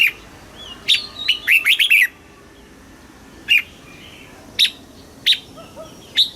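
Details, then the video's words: Red-whiskered bulbul song in the southern Thai master style, used to stimulate caged birds and tutor young: a rapid cluster of sharp warbled notes, then single clipped whistles spaced about a second apart over a quiet background. "เสียงนกกรงหัวจุก สำหรับต่อ หรือ เปิดให้นกคึก เสียงเพราะๆ"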